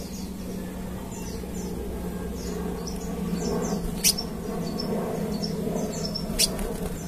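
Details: Lure sound of a crimson sunbird meant to draw replies, a busy stream of high, thin descending twitters with two sharp squeaky chips, over a constant low hum.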